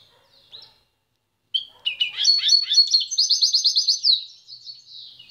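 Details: Goldfinch-canary hybrid song: a lone chirp, a second of silence, then a burst of bright warbling that settles into a fast, evenly repeated trill of high notes before trailing off into softer twitters.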